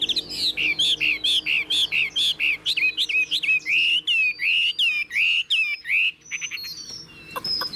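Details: Caged, tame Chinese hwamei with a spread tail and eagle-style wing display gives loud, clear whistled phrases, rising and falling slurs repeated rapidly in a steady run, then scattered thinner high notes.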